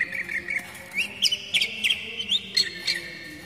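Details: Kacer, the oriental magpie-robin, giving its base song as a lure for young forest birds and to get moulting birds singing again. Bright whistled notes, some rising, some slurred, come in quick uneven bursts.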